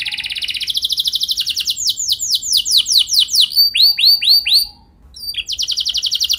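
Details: Canary lure song meant to make other canaries answer: a quick pulsing trill, slower falling sweeps, a handful of arched whistles, a brief gap, then another fast trill.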